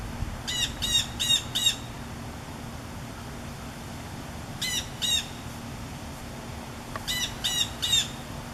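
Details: Blue jay calling from backyard trees on a summer afternoon in August 2015 as a fast-moving severe thunderstorm approaches, thought to be warning other birds; sharp, harsh notes in quick bursts of three or four, over steady rumbling storm noise.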